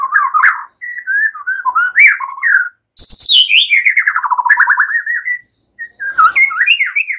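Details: White-rumped shama (murai batu) giving relaxed song that imitates cililin and ciblek, for training songbirds: varied whistled phrases, then a long descending trill of quick repeated notes, ending in rising and falling whistles.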